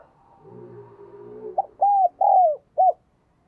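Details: Spotted dove serving as a lure bird, calling to attract others; a low droning hum gives way to one crisp phrase: short note, two long bowed coos, a clipped final coo.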